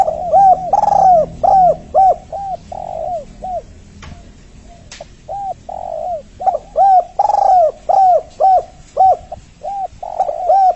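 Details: Spotted dove (tekukur, derkuku or anduhur) used as a decoy to attract males or females for trapping, cooing in repeated phrases of hoarse rounded notes, two bursts separated by a brief pause, with a faint click midway.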